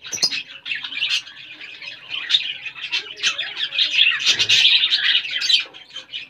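Budgerigars chatter in a dense stream of high, scratchy chirps and squawks.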